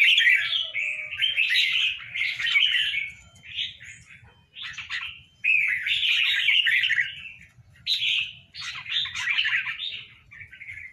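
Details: Tame pair of caged red-whiskered bulbuls singing long runs of rapid, scratchy warbling and chirped notes in several bursts, with brief quieter gaps between phrases and a faint low background hum.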